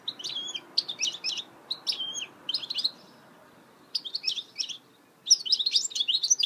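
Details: Goldfinch hybrid (mule) singing: bursts of bright, twittering, buzzy high notes in short clustered phrases, separated by brief pauses, with a longer fast-trilled run at the end.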